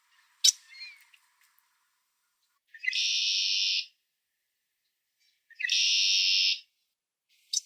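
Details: In Ontario, Canada, a red-winged blackbird gives a sharp chip, then two harsh, buzzy trills about a second long each, roughly three seconds apart, each trill opening with a brief note.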